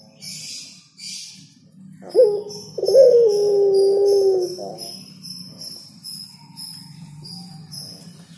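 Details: Spotted dove song: a short coo followed by a long, steady, gently falling hoarse coo, with a series of thin, regularly repeated high tinkling notes continuing in the background.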